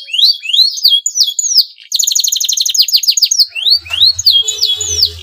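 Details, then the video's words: Male canary in breeding condition, with song meant to stimulate other canaries: rising and falling whistled slurs, a rapid even trill of sharp notes, then more looping whistles over a faint low hum. "CUIT CUIT KENARI JANTAN BIRAHI UNTUK MERANGSANG BUNYI KENARI LAWAN AGAR MAU BUNYI DAN GACOR"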